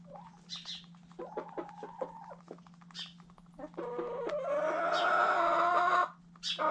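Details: White Silkie rooster recorded close up: a few soft clucks and short notes, then a loud, raspy, harmonic-rich crow held for about two seconds, with a steady low hum throughout.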